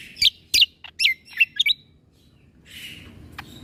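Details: Cucak kombo (leafbird) song played as tutor material so young magpie-robins gain a 'tembakan' voice: a quick run of five or six sharp, high sweeping chirps, then a pause, a softer rasp and one brief note.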